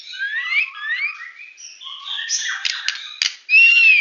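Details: Medan white-rumped shama in full tembakan song: soft rising whistled slurs repeated several times, a blurred chattering stretch, and a final loud arching whistle.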